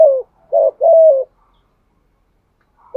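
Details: Spotted dove lure cooing, a Dong Son style voice used to attract doves: low, hollow coos falling slightly in pitch, a short note then two longer drawn-out coos, with silence between phrases.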